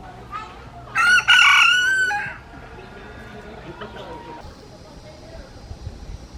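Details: A rooster gives a loud, short, strongly harmonic crow near the start, then background quiets to a low farmyard murmur with faint distant sounds.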